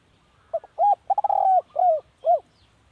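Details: {'caption': "A spotted dove's decoy call: one phrase of deep coos, a small double note, an arched coo, a tremulous run merging into a prolonged tone, then two sliding-down coos."}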